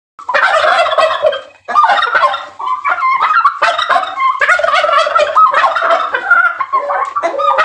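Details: A male turkey calls to females in breeding season, displaying with fanned tail to attract a mate: rapid, rolling gobbles in dense bursts separated by brief pauses, with bubbling, warbling notes throughout.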